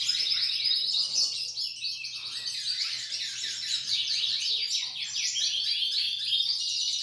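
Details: A female Belgian canary sings a continuous, rapid, high twittering warble of fast repeated notes, fairly quiet, over a steady low electrical hum.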